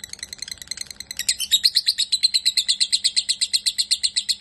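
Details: Lovebird, called a fighter, starting with soft scattered notes, then breaking into loud, fast, regular high chattering.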